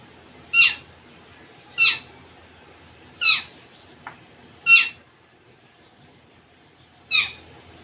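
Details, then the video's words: Indian ringneck parakeet, a young male showing off to a female, uttering harsh, short screechy squawks spaced about one to two seconds apart, five in all, with a faint click between them. "baby mail parrot impress female ringneck"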